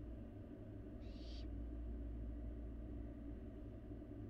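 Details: Barn owl fledgling taking food in an empty nest box, Florida live nest camera; a single short, noisy hiss-screech amid continuous low rumble.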